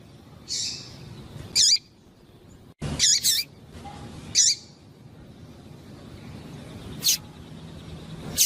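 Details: Calling female double-collared seedeater, her chirps meant to warm up and excite a quiet male into song: brief, high, curling notes spaced about a second apart, one soft click-like burst between them, steady low hiss beneath.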